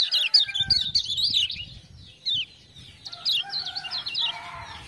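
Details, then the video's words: Lemon-bellied white-eye (kecial kuning, Lombok), a tutor bird, not a contest winner, singing energetically after being prompted by "ciak-ciak" sounds: bursts of rapid, high, sliding twitters with short pauses, and a faint, steadier, lower whistled note in the background. "Kecial Kuning joss gacor"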